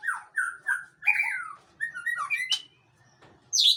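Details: Male white-rumped shama, Aceh type, gives three short repeated whistled notes, then a run of slurred whistles and a sharp high note, a short pause, and a final shrill burst.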